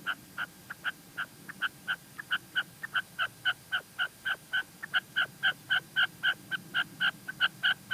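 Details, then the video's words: Female red-legged partridge calling in La Mancha, Spain: a steady run of short, sharp clucking notes, about four per second, each with a bright double-toned ring, continuing without pause over faint low background hum. "Reclamo de perdiz hembra"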